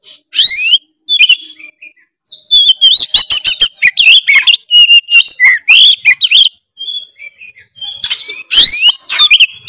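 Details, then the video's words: Oriental magpie-robin singing loudly and continuously in the ngeplong style that is said to anger other magpie-robins: dense, varied phrases of rising and falling whistles, rapid chips and buzzy slurs with only brief pauses. "kacer manapun pasti emosi denger suara kacer gacor ngeplong satu ini"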